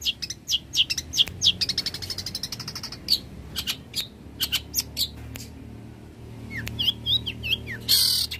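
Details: Long-tailed shrike in full song, a clever mimic of many birds' voices, used as a tutor for training songbirds: rapid runs of harsh, buzzy chattering notes mixed with thin whistled slurs, ending in a loud burst.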